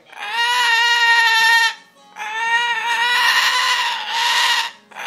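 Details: Indoor cockatoo squawking as its owners walk into the house: long, loud, harsh screeches lasting over a second each, with a brief pause between, in a quiet room.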